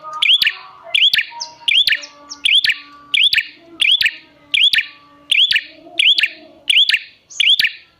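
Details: Prinia calls used to bait other prinias into singing: a long, regular series of loud, sharp chipping phrases, each with a curled whistled note, about one every 0.65 seconds.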